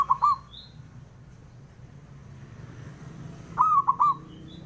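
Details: A male zebra dove calls to draw replies from rivals. Two short bursts of rolling, hollow coos are separated by about three seconds of quiet, with a faint high chirp from another bird.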